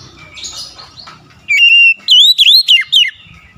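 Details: Oriental magpie-robin giving a loud whistled phrase: one level note, then a series of rapid up-and-down slurred whistles, following soft distant warbling.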